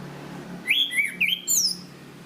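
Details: Punglor kembang, the chestnut-capped thrush, used as a training recording for caged songbirds: three or four loud whistled slurs, rising then dipping, ending with a high descending note, over faint low background hum.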